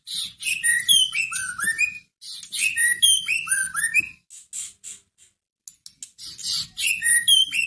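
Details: White-rumped shama song serving as a lure to make a dull shama answer. Rapid sequences of clear whistles sweep downward in cascades, two full phrases, then scattered sharp clicks, then singing resumes.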